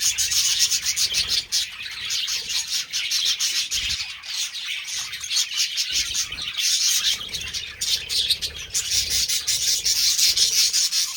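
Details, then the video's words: Budgerigars during mating: steady, busy chatter of overlapping high chirps and rasping twitters throughout, with brief lulls around the middle and low scattered thumps beneath. "Budgies parrot Mating"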